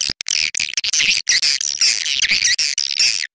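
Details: Swiftlet lure-call track used to attract swiftlets, reported as drawing a strong response: a dense, rapid stream of high, buzzy chirps and twitters, broken only by brief pauses, with no other sounds.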